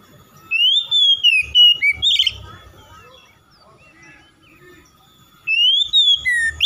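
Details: Oriental magpie-robin (kacer) giving bright whistled, warbling phrases with falling slurs and short chirps, then a few seconds of near quiet before a new rising whistled phrase starts; faint low thumps are heard underneath.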